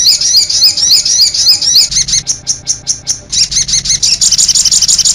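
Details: High, warbling chirps from a sogon bird, first slurred and run together, then spaced evenly as separate notes, speeding into a dense chatter at the end.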